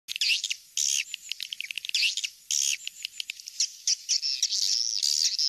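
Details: Swiftlet lure call recording, played to draw swiftlets in: dense, high chirping and twittering with buzzy bursts, rapid overlapping chips more than a hundred per minute, no other sounds.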